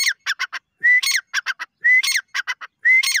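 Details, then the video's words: Grey francolin calling loudly in a fast repeated phrase. A rising whistled note leads into a cluster of harsh, ringing notes, and the phrase recurs about once a second. The background is quiet. "dakhniteetar ki awaz"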